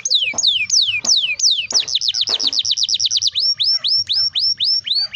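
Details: Canary singing a long rolling song intended to prompt young canaries to sing; long falling whistles give way to a rapid run of short notes, then spaced hooked rising whistles.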